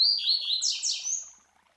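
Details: Captive master Double-collared Seedeater (Coleiro) singing the classic Tui Tui Zel Zel song, used for teaching young birds; high whistled notes that slur downward, then two quick descending buzzy sweeps fading out, quiet background.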